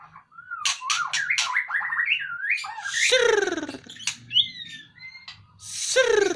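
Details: Male white-rumped shama out of its cage, pouring out rising and falling whistled notes mixed with harsh descending buzzes and thin high whistles, a low hum beneath.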